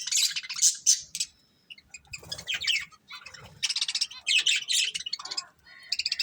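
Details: Budgerigar breeding pair giving dense, buzzy, high-pitched chatter almost without pause, with rapid trills and warbled notes and faint low rustling in the middle.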